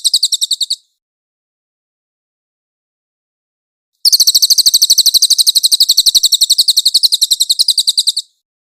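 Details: White-eye tutor song for training songbirds: a short burst of shrill, rapid chirps, a long silent pause, then a sustained four-second trill of evenly repeated high, sharp notes, clean with no background noise.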